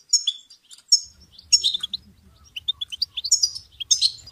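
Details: Goldfinch song from a tape made for teaching chicks and songbirds: bright, high tinkling twitters and buzzy trills in quick bursts, with short pauses between phrases and a faint low hum underneath.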